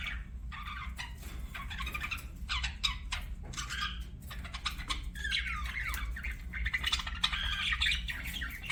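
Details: Pet budgerigar chirping: dense, continuous chattering with quick warbled notes, scratchy squawks and short trills that run almost without pause, over a steady low background hum.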